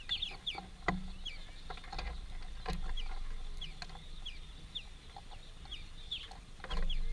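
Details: A family of greenfinches eating at a work site makes a steady run of short, falling chirps about twice a second, with occasional clicks and a low hum behind them.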